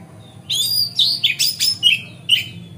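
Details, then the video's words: Magpie-robin's lively song, played to provoke rival magpie-robins into fanning their tails: rapid sequence of sharp whistled notes, downward slurs and scratchy elements packed into under two seconds, ending with a lone clear note. "Pancingan Kacer Gacor Ngeplong Santai Bikin Buka Ekor Kacer Lain"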